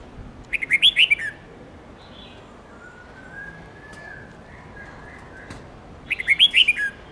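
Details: Red-whiskered bulbul training song for young birds learning long 7-10 note songs: two lively whistled phrases about five seconds apart, each a quick burst of six notes, with a faint drawn-out whistle and soft calls between.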